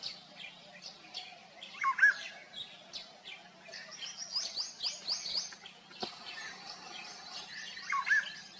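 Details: Golden oriole calling with brief, clear fluty whistles, one pair early on and another near the end, while other birds keep up dense high-pitched chirping and twittering throughout.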